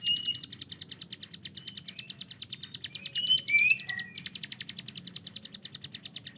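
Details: Kept hill prinia master bird pouring out rapid 'tembakan' notes: an even, fast stream of sharp, high ticks, briefly interrupted near the middle. Clear whistled phrases from another bird overlap the run.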